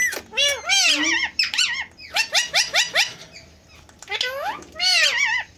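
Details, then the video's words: Indian green ringneck parakeet talking and dancing, a pet parrot mimicking speech. Dense runs of arched, harmonic squeaky syllables come in bursts, with a quieter gap near the end before a final burst of chatter. "Indian Ringneck Talking Parrot Talking and Dancing"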